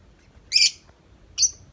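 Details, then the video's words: Tame lovebird outside its cage giving long nonstop 'ngetik' chattering; here two short, harsh, high-pitched buzzy chirps arrive about a second apart against a quiet background. "Lovebird Jinak Ngetik Panjang Nonstop 10 menit di luar Kandang"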